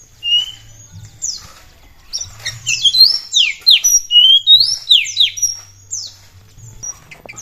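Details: Singing Oriental magpie-robin played to set other birds singing: after a quiet start, a burst of rapid downslurred whistles and high thin notes, uneven in rhythm, over a soft low hum.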